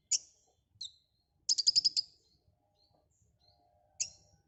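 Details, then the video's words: Active full filler singing from a white-rumped shama (konin): scattered sharp high downslurred chips surrounding a brief fast trill of about eight bright pulses. "Suara burung Konin GACOR FULL ISIAN"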